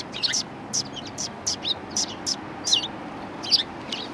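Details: Several sparrows at a Tenmangu shrine, 1 March 2020, chirping steadily about once or twice a second, each note a short high tweet, against faint ambient hum.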